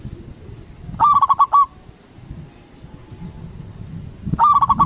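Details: Lively local zebra dove with a big voice, played to draw replies from other doves; a bubbling phrase of short coos ending on a longer note, then a second phrase about three seconds later, with low rumbling background noise.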